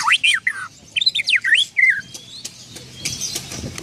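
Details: Oriental magpie-robin mimicking a parking whistle: a short run of bright, swooping whistles, some sliding down and others wavering, followed by fainter scratchy notes over low background noise.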